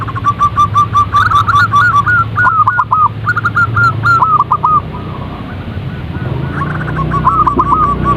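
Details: Zebra dove, known locally as perkutut, recorded as a calling lure to get birds singing: rapid staccato runs of short hooked, whistled coos, a few per second, with steady low background rumble.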